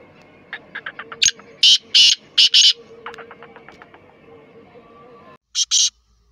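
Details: Black francolin (kala teetar, Sindhi teetar) calling: a run of thin, quick chirps leads into the loud rasping call, a short note and four harsh grating bursts. After a brief gap comes another pair of loud rasps.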